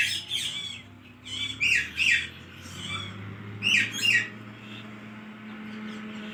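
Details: Pet talking parrot giving short, raspy, word-like phrases in bursts of one to two seconds, separated by quiet pauses, with a low steady hum behind.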